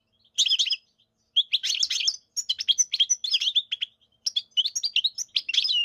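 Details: Singing European goldfinch: bursts of quick, high, tinkling chatter mixed with short buzzy notes, phrases running about a second each with brief gaps between them, clear and close with a quiet background.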